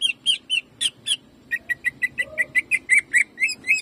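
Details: Cucak ijo, the greater green leafbird, delivering jamtrok shooting song for training caged birds: bright repeated chirps, a few high ringing notes giving way to a steady run of mid-pitched chips about seven per second.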